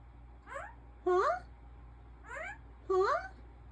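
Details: Talking African ringneck parrot kept indoors, uttering four short, rising, speech-like syllables at uneven intervals over a faint steady hum.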